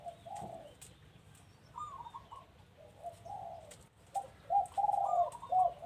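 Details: Doves at a home, clear mellow cooing, short rolling phrases of soft notes that grow louder toward the end, with a quiet background.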